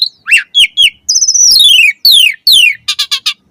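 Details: Asian pied starling pouring out varied master song for caged birds: sharp whistled notes, two long sweeping downslurred whistles, then four quick clipped chirps at the end.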